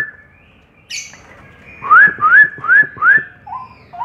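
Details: Straw-headed bulbul with a quiet start and a sharp high note, then four loud clear upslurred whistles in quick even succession, followed by two softer low mellow notes.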